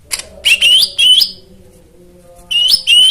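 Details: White-eye song used as therapy to coax silent birds into singing: short bursts of high, bright whistled notes rising in pitch, two groups separated by a quiet pause, with a faint low hum beneath.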